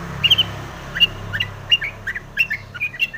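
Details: Long-tailed shrike singing a lure song meant to stir other shrikes to sing: short, sharp chirps and clipped whistles at an uneven pace over a low background hum.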